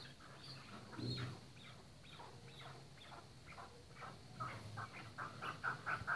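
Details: Chukar partridges on a breeding farm: a loose series of short clucking notes, growing louder and quicker toward the end, over a low background hum with scattered fainter calls.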